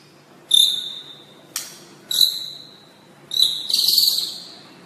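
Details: White-rumped shama tutor song for training caged birds: short, high whistled notes in three separate bursts with a sharp click between them, the last burst a longer sustained whistle.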